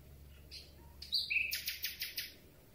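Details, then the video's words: Night song of a Common Nightingale, taken at close range on a hand-held telescopic boom: a few soft high whistles lead into a loud, rapid run of about six sharp repeated notes. "Słowik Rdzawy piękny śpiew"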